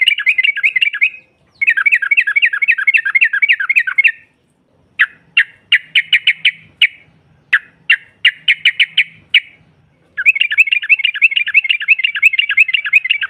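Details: Female yellow-vented bulbul chattering ngropel to provoke rivals: long rapid bubbling runs, a middle section of spaced clipped notes in small clusters, then steady fast chatter again.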